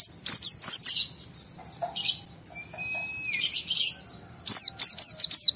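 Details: Excited, high-spirited white-eye singing to trigger other white-eyes to answer: quick high twittering chirps, a long flat whistled tone in the middle, then a fast run of sharp downward-sliding notes.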